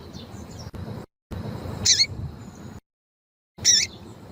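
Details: Female double-collared seedeater (coleiro tui-tui) calls, used to stimulate and train male birds: two brief, high, thin chirps about two seconds apart, over a low background hum with gaps of silence.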